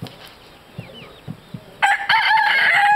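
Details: White-crested black and blue-laced Polish chickens at Madiswil on 3 June 2012: a few soft low clucks and faint background sounds, then a loud, harmonic-rich crow bursts in near the two-second mark and carries on strongly to the end.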